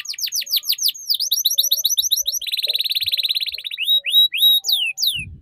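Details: Tutor song of a canary for teaching juveniles the ngeriwik style: rapid series of falling chirps, quick repeated notes, a dense fast buzzing trill, then clear upward-slurred whistles.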